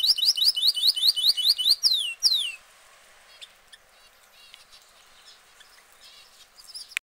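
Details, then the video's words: Caged canary gives a fast series of sweeping upslurred notes and two long downslurred whistles, followed by near silence with faint chirps. "Exotic Birds Singing in Cage - Canary - Bird Song - Bird Calls"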